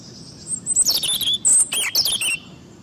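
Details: European robin singing: thin, high, sweet warbled phrases delivered in quick bursts, with a sharp whistled note near the middle and a fluttering trill toward the end, over a quiet background.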